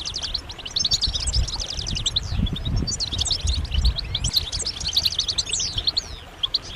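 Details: Massed European goldfinch twittering with mating and readiness calls, used to push males out of silence into song. Quick, high, jingling notes and sweeping chirps are layered over a noticeable low rumble.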